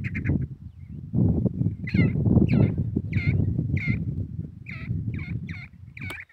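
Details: Harsh, creaky grey partridge calls, about nine in all, are repeated at uneven intervals over a loud, continuous low rumble.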